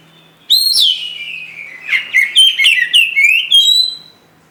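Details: Varied whistled phrases from a white-rumped shama, fluty notes sliding downward then a string of quick bright slurred whistles, ending in a sustained higher whistle, in a quiet setting.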